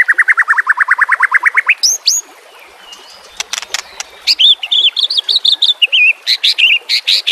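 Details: White-rumped shama (murai batu) training recording with trickling water: a fast even trill of about twenty identical notes, then high upslurred whistles, sharp clicks and a warbled run of bright notes.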